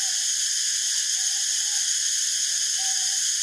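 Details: Northern boobook, subspecies totogo, heard while it forages and preens: a few brief, even hoots, mostly level in pitch, spaced through a few seconds under a dense, constant high buzzing drone.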